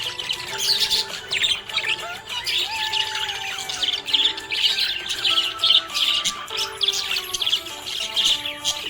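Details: Happy budgie chirping with busy, high twitters and clicks pulsing every second or so, over a gentle musical soundtrack with held notes.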